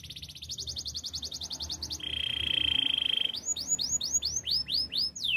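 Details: Song of a Belgian canary, a training song: a fast, rhythmic high trill, a lower, sustained, buzzy roll, then a series of clear, arching whistled swoops about four per second.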